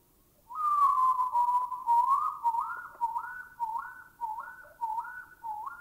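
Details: Bay owl recorded in Thailand giving an eerie whistled phrase: a sustained level note of nearly two seconds, then about six quick upslurred, looping whistles repeated at a steady pace, each slightly quieter.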